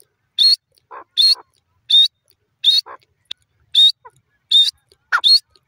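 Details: Francolin, the teetar, giving loud grating notes about every 0.7 seconds, each followed by a softer lower answering note.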